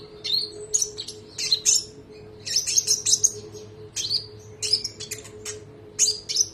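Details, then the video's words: Olive-backed sunbird, called konin, singing on a training recording for other songbirds. Clusters of intense high chirps and rapid trills come in bursts about every second, with a faint steady hum underneath. "MASTERAN TERBARU KONIN NEMBAK MEWAH❗❗ KONIN TROTOL GACOR NGEROLL PANJANG"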